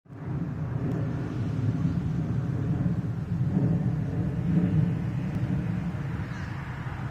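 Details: A low, steady vehicle rumble that swells slightly and then holds, with no animal calls.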